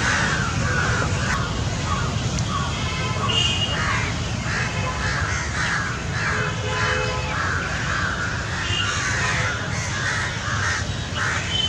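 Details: Group of crows, described as Indian jungle crows, calling together on 28 November 2021 in a dense, overlapping chorus of harsh, repeated caws, with a steady low rumble of background noise and faint speech; finding: Large-billed crow.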